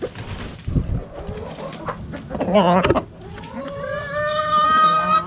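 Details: Chickens in a backyard coop: mixed knocks and short calls first, a brief harsh burst near two and a half seconds, then a long steady harmonic cackle building to the end.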